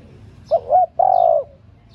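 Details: Female spotted dove calling to rouse male doves, a single clear phrase of two short bending notes followed by one longer steady coo.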